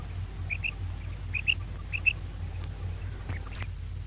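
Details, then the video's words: Female quail calling: short, high notes given in close pairs, three pairs in about two seconds, then faint scattered clicks over a low steady hum. "female quail call maadi batair ki awaz 2024 batair ki awaz"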